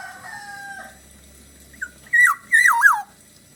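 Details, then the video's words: Black-naped oriole singing in the Bali style: two long, level whistled notes, a pause with a soft note, then two loud, liquid, rolling phrases that dip and rise, rich and fluty. "kepodang gacor khas bali"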